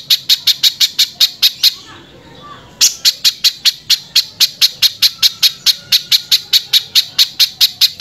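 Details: Harsh-voiced spiderhunter song for training other birds: quick rasping chips about five per second, broken by a one-second pause, then a second long, even burst.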